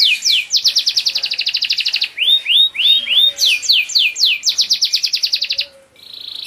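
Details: Caged Spanish Giboso canaries: rapid rolled trills of downward-sweeping notes, then slower looping whistled phrases and more fast rattling tours that end in a brief pause. The notes are high and bright, and the background is quiet.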